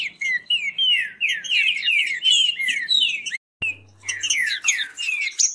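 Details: Captive green-winged saltators sing fast against each other, looping slurred whistles repeated in a hurried stream. A click and a momentary dropout break the flow before the rapid phrases return over a faint hum.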